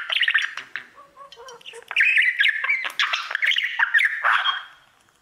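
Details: Caged male budgie singing to a mirror: squeaky chattering phrases that open with quick chirps, swell into a loud scratchy warble with whistled slides, then fade to silence.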